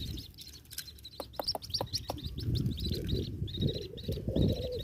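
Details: White-breasted waterhen chick eating a small grasshopper; high, thin peeping notes repeat rapidly in short bursts over low rumbling handling and rustling noise, with a few sharp clicks.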